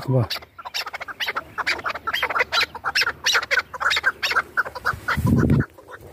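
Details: Chukar partridges kept for hunting, from Dashti Jum: busy, overlapping chuckling notes repeated rapidly throughout, with a short low-pitched rumble near the end.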